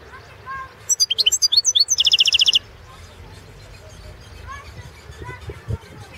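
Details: Carduelis carduelis balcanica goldfinch singing for the 2016 internet World Championship in goldfinch song, Serbia: a rapid run of varied high twitters flowing into a dense buzzing trill, then near silence with faint distant notes.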